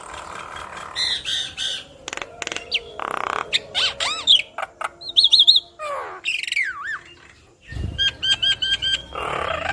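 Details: Vigorous song of a yellow-eyed Javan myna bobbing its head, meant to make other mynas sing along. A varied jumble of squawks, harsh noisy bursts, swooping whistles and rapid trilled phrases, with short gaps between.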